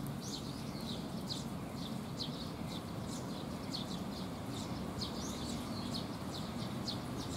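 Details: A flock of sparrows coming to be fed during rain on 19 June 2021 keeps up a busy stream of sharp, high chirps, overlapping and irregular, against steady low rainfall noise.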